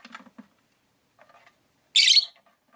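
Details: Caged rosy-faced lovebirds, five birds by a window with outside town sounds: low murmuring chatter and soft ticks, then one loud, coarse, buzzy chirp.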